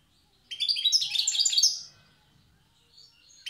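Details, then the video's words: Wild goldfinch from Tiaret, singing in the old song style: about a second and a half of dense, jangling twitters and trills, then silence, with a faint note near the end. "تغريد حسون تيارت( أداء الحسون البري اللغة القديمة)"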